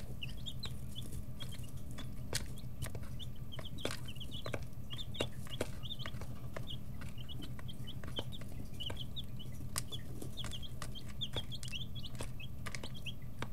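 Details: A brooder of young chickens, 11 to 13 days old, stretch their feathers and peck while calling loudly. Clusters of thin, high cheeping notes follow one another without pause above a constant low droning hum and scattered clicks.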